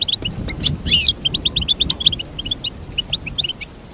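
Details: Goldfinch singing to teach other birds: an energetic opening trill, then a fast even series of high chirps that gradually softens, over faint low noise.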